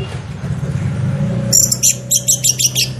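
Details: Lure recording of orange-headed thrush: after a humming background, a quick run of high, sharp, repeated chattering notes, about six pulses in a second and a half.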